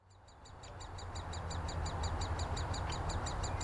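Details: Great spotted woodpecker nestlings being fed at Úvaly, Škvorecká obora, Czechia, on 26 May 2023 beg with rapid, high, chirping calls, about three or four a second, over a steady low rumble.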